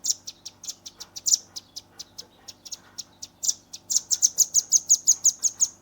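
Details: Juvenile velvet-fronted nuthatch in lively 'gacor' form, delivering 'nembak rapat' tight rapid-fire shooting song, filmed on a Redmi 10 phone: sharp, very high thin notes, irregular at first, then a fast even burst of about twelve strong notes.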